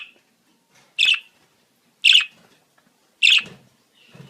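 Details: Budgerigar breeding-season calls meant to stimulate mating: three loud sharp chirps about a second apart, the last trailing into soft low rustling and faint chatter.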